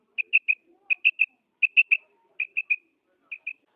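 A female common quail gives short, high, clipped notes in quick groups of three, about three-quarters of a second apart, ending with a pair.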